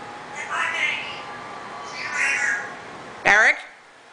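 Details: Pet African grey parrot indoors on Christmas Eve: two soft, speech-like murmured phrases, then one loud, short, harmonic squawk that rises sharply in pitch, with quiet room noise.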